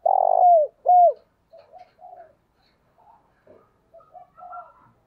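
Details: Spotted dove cooing in the early morning to lure wild doves. Two loud, low, smooth coo notes open the clip, each bending slightly downward, followed by faint, scattered softer notes and brief chirps.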